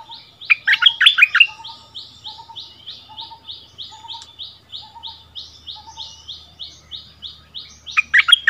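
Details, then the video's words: A bulbul returned to familiar ground duels with the new local bird: a short burst of rich whistles, then a long, steady series of high chips over soft low notes, with another burst at the very end. "เสียงนกดอกแตงEp.30 คืนถิ่นเก่า!!ดวลเพลงเบิ้ลกับเจ้าถิ่น Burung merbah lekir"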